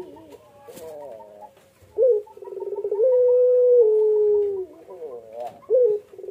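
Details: Puter pelung Barbary dove calling repeatedly from the nest while incubating eggs; rolling pulsed notes build into a long drawn-out coo that sinks slightly in pitch, followed by clipped short notes.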